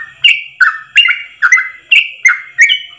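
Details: Rapid whistled 'ropel' song of a Yellow-vented bulbul, a tutor recording in one long breath: seven evenly spaced liquid notes, each a quick slur, about every third of a second.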